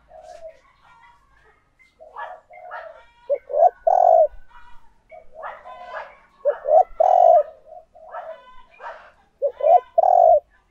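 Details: Decoy spotted dove cooing to lure wild doves: loud, low, rounded coo phrases in bursts near four, seven and ten seconds, over softer cooing and warbling from other doves throughout.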